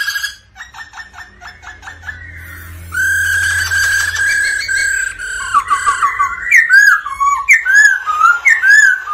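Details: Black-throated laughingthrush in captivity, singing and dancing, prompted by the female "ro ro" call. Rapid ticking notes lead into a long strained whistle, then lively rising and falling whistled phrases about twice a second.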